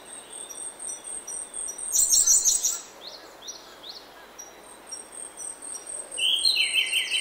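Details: Grey-backed thrush singing in oak woodland in the early morning: a fluty, slurred phrase near the end followed by high twittering, after a burst of sharp high chirps, over a continuous thin high whine and scattered small calls.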